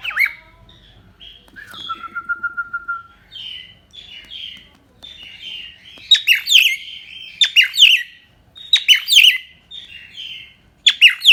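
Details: Cockatiel giving a varied song: scattered bright chirps and short buzzy notes, a steady level whistle near the start, then clusters of sharp high chips in uneven bursts with brief pauses between.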